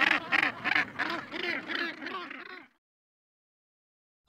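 Northern Gannet giving harsh, grating, rasping calls, about eight in quick succession over nearly three seconds, then silence.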